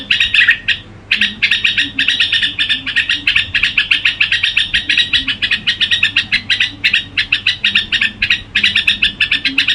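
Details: Red-whiskered bulbul singing: a fast, dense stream of bright chirping and warbled notes, pulsing several times a second almost without pause, with a faint low hum beneath.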